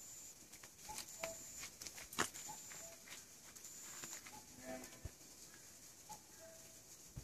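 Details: A distant common cuckoo in spring 2014 woods near Ilyoung Youth Hostel, Korea, gives soft two-note 'cu-coo' calls, high then low, about every one and a half seconds. A steady high hiss and scattered clicks and knocks run underneath.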